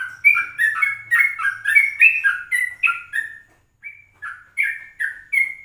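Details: Yellow-vented bulbul recorded in the morning at 04:30 as a lure for other birds: a lively run of bubbly, warbled whistled notes, each phrase rising and falling, repeated rapidly with a brief pause near the end.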